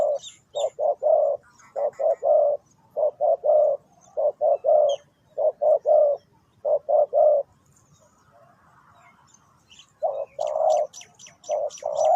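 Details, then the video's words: Spotted dove calling, as used for bird trapping: low hollow coos in short grouped phrases, a pause, then more coos, with faint high chirps from other birds. "The Sound Of the dove"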